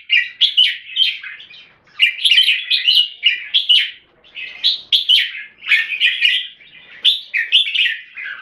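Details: Singapore-kept red-whiskered bulbul, or jambul, singing solid clear 'keke': repeated bursts of quick, bubbling whistles and chirps, about five phrases separated by brief pauses, in a quiet setting.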